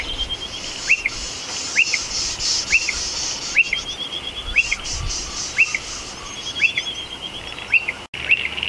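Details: Striated pardalotes coming and going from a nest built in a shed roof, near older nests in stone walls; a clear, monotonous series of short arched chip notes, about one per second, with a continuous insect buzz behind.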